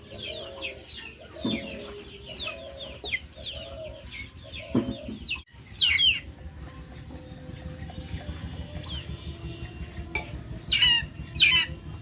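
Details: Backyard chickens calling: a run of short, clipped, mid-pitched tonal bars and quick high chirps, a sudden thump near the middle, then louder rasping, descending chirps toward the end over quiet outdoor hiss.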